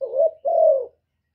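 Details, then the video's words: A single spotted dove coo phrase: a soft rising note, then a sustained mellow hoot that falls slightly at the end, with no other sounds. "TIẾNG CU ĐẤT, CU CƯỜM GÁY"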